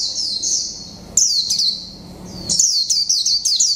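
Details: Japanese white-eye, mộc tinh type, caged one month, in líu pha chòe trống song: high sweet warbling, a pause, then a lively string of fast descending notes.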